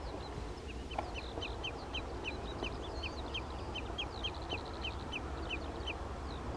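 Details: Common redshank, an adult with a juvenile, near Skoczów in Poland on 16 June 2021, giving a long run of sharp, slightly falling piping notes about three per second, with higher faint calls and low rumble.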